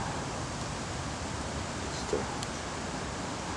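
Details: A steady broadband hiss and low rumble, like wind or distant traffic, with no animal calls.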